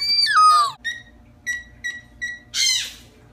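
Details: Moluccan cockatoo showing off, giving a sliding downward whistle, then four short clear whistled notes spaced about half a second apart, and finishing with a harsh rasping screech.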